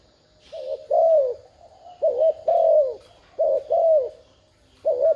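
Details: Spotted dove decoy giving rapid 'thúc gù' coos to lure wild doves: mellow wavering notes and falling drawn-out coos, tightly repeated, about four phrases in quick succession.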